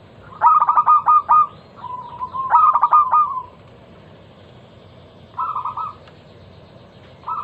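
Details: Local zebra dove lure song, loud and crystal-clear, played to prompt other doves to sing: two loud stuttering strings of rapid coos, then quieter short rolled phrases after a pause.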